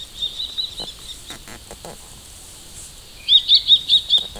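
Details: Common kestrel: a short burst of five or six loud, shrill notes repeated rapidly near the end, preceded by quieter high tones and soft background noise.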